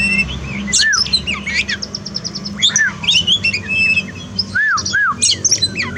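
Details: A caged Oriental magpie-robin sings during a therapy meant to help a bird that calls little after moulting. The song is dense and varied, with slurred arched whistles, bright high chirps and rapid trills over a constant low hum.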